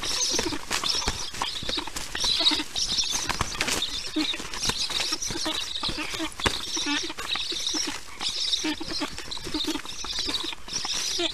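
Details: Young black storks in the nest, recorded by a nest camera as a parent brings them lunch on a July 2019 afternoon; rasping high-pitched calls repeat steadily in short bursts throughout, over soft tapping and shuffling.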